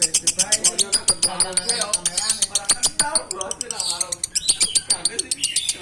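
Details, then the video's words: Konslet-type lovebird from Pekalongan singing a long, rapid, rattling chatter of sharp repeated notes, buzzy and metallic, with faint voices in the background. "Love bird konslet"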